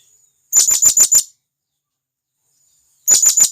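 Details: Wild blue-crowned hanging parrot from the forest calling to its companions: two bursts of about five sharp, very high, thin notes in quick succession, separated by roughly two seconds of silence; no other sounds.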